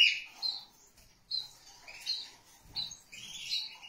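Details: Domestic canaries, a pair with their chick, kept as pets: soft high chirps and brief twittering bursts coming in separate spurts, fairly quiet and slightly muffled, with a faint low thump in between.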